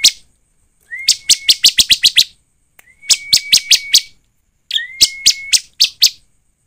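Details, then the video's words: Bar-winged prinia, called ciblek, sound used as a lure to make the bird sing: three loud bursts, each a thin steady whistle under a rapid series of sharp, dry clicking notes, separated by short silences. "Pancingan ciblek agar bunyi dan cepat gacor || ciblek gacor ( suara ciblek)"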